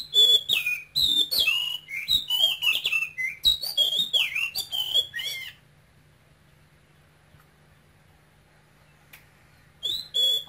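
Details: Male oriental magpie-robin, a caged bird raised in Vietnam from a Cambodian nestling, gives about five seconds of fast, loud whistled and chattering phrases, falls silent for several seconds, then starts singing again.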